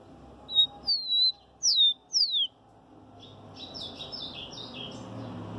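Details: Rufous-collared Sparrow (tico-tico), a Brazilian songbird, sings three clear, high, down-slurred whistles, then a softer run of quick descending notes over a low background hum.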